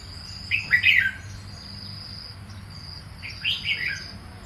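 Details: Red-whiskered bulbul gives a lively, slurred warble, pauses, then repeats a similar short phrase, while an unbroken insect drone continues in the background.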